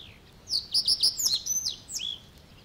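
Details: Reed Bunting singing in the reed beds of Matsalu: a short, clear phrase of about six high, sharp notes, quickly repeated and ending in a lower slurred note, over a quiet hiss of background.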